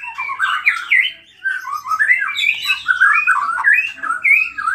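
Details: Lure song of an excited white-rumped shama unloading its full repertoire: continuous rich warbling, phrases rising and falling without break, meant to provoke other shamas into singing.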